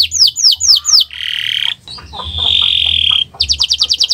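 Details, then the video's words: Canary training song in the 'owor-owor uhuii' style. Four descending whistles are followed by two long, harsh, buzzy drawn-out notes, then a quick run of short repeated chips. "Gacor Owor-owor uhuii"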